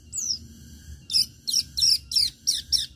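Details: Long-tailed shrike song meant to make other shrikes sing: a high falling whistle, then a quick string of sharp, buzzy notes repeated roughly three times a second.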